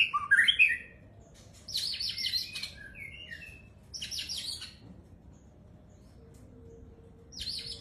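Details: White-rumped shama song in separated bursts: rising whistles, then buzzy high chattering phrases with short whistled notes, long quiet spells between, over low steady background noise.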